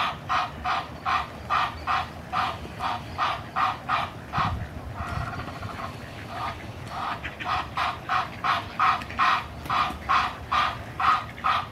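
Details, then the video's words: A pair of Egyptian geese in a backyard: one huffs loudly with varied harsh, breathy honks, two or three a second, at mottled ducks to drive them off, while its partner joins with honking, over a low rumble. "Egyptian Geese huffing and honking"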